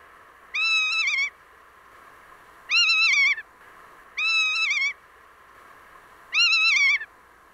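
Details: Rough-legged Hawk (Rough-legged Buzzard) giving four whiny, wavering keer squeals that sag at the end, each under a second long and spaced about two seconds apart, over a soft hiss.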